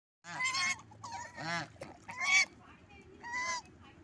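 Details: Angry geese, likely domestic, honking loudly: about four harsh, nasal honks in four seconds, each short and strained with rich overtones, separated by brief gaps, over a low background rumble.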